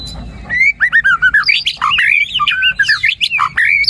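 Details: White-rumped shama song used to stimulate a quiet bird to sing: a fast, varied run of loud whistled and chirping phrases, many sliding up and down, delivered in quick bursts with brief gaps and no other clear sounds.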